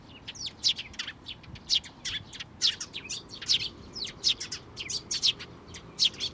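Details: Fed sparrow chicks at a Tenmangu shrine in May 2024 give dense, rapid, high-pitched chirping. Sharp notes tumble over one another in busy bursts with little background noise.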